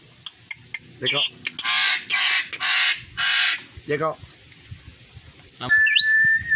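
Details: A tame, free-flying pet rainbow lorikeet imitates human speech unclearly, mumbling its own name in voice-like phrases among harsh, raspy screeches, and ends with a clear high whistle.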